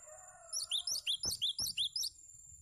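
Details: Cinereous tit song as tutoring material for other birds: a low drawn-out tonal sound fades as eight quick, high upslurred notes follow in an even series, over a steady thin electronic tone.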